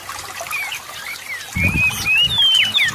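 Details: Kacer whistling to draw other magpie-robins into song: long, thin slurred whistles, rising and falling, growing louder in the second half, with some low rustling noise underneath.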